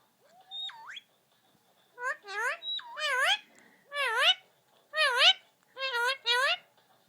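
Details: A male Indian ringneck parakeet talking to himself at an iPad opens with a looping whistle, then chatters in five or six nasal, speech-like phrases, roughly one per second.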